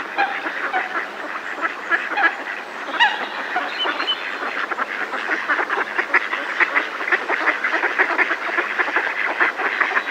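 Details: Alarm calling from a flock of Mallard ducks in a decoy, recorded close: a long, unbroken wall of rasping quacks that swells slightly louder toward the end.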